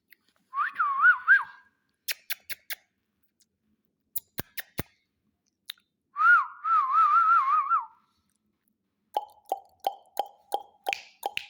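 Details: Ring-necked parakeet, a pet talking parrot, whistles a short wavy phrase, then a longer warbling whistle with rapid undulations, among scattered sharp clicks and ending in a run of short, evenly repeated chirps.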